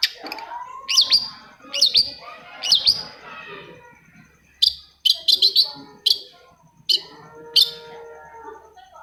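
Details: Long-tailed shrike singing, used to coax reluctant shrikes to sing: three rising-falling chirps, a quiet gap, then a rapid cluster of sharp ticking notes and scattered single chirps, with a soft steady low whistle underneath.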